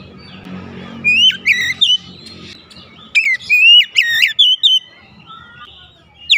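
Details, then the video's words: Oriental magpie-robin song, used as a therapy recording to spur reluctant caged birds into singing: bursts of clear, varied whistled phrases with rising and falling slurs and sharp upward notes, separated by brief pauses, over faint low background hum. "terapi Kacer malas bunyi sudah pasti langsung gacor"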